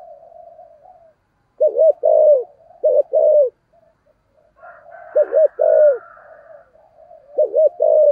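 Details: Spotted dove used as a decoy to stimulate wild birds, voice style 'thổ'; three mellow phrases, each two short coos then a drawn-out falling note, with faint background murmurs and a brief higher hum.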